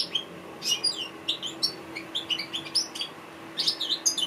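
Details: Song of an African goldfinch: sharp high chirps, slurred whistles and buzzy twitters delivered in quick bursts with short pauses, over a faint continuous low hum.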